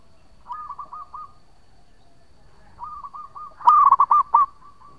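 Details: A local zebra dove singing a long song, used as a lure. Softer rolling coo phrases build into a loud burst of five or six quick, bubbling notes, then fade into a held, steady coo.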